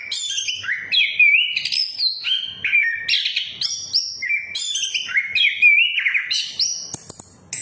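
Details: Orange-headed thrush song used as a lure to get other thrushes singing: rich, loud whistled phrases stepping up and down, with slurred notes and bright high trills, delivered in quick varied bursts with no other sounds.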